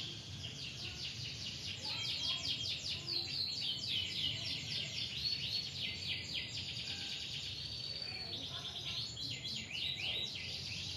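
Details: Canary singing, meant as a lure to draw song from young or reluctant canaries: dense, fast, high chattering trills and whistles running on continuously, somewhat distant, over a steady background hiss.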